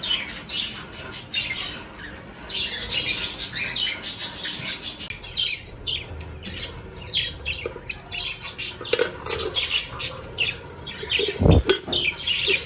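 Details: Aviary budgies at the start of breeding season, with clay pots just hung for nesting: a continuous flock of squawky, warbling chirps in rapid bursts, punctuated by a brief loud low thud near the end.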